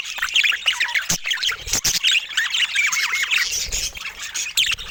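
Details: Budgerigars of assorted colour mutations chattering busily, with overlapping warbled twitters, sharp squawks and quick scratchy notes running without pause, broken by a few loud clicks.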